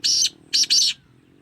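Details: Black francolin chick, 2.5 months old, calling alongside adult francolins; three loud, high chirpy notes, a single note followed by a quick pair after a short pause, over a faint low background hum.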